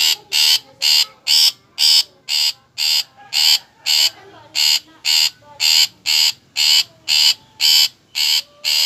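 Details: Long-tailed shrike (cendet) calling: loud harsh rasping notes repeated steadily about twice a second, each a broad buzzy burst, with faint background bird calls.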